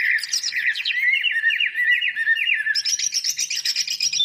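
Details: Greater green leafbird's full isian song, used as a lure for lazy singers. Repeated looping, slurred warbles run low and then jump higher after the midpoint into rapid, shrill trills.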